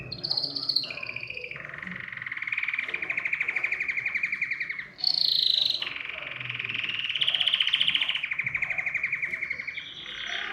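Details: Canary song used to prompt other birds to sing: long buzzy rolling trills held for several seconds, broken by a brief higher whistled burst midway.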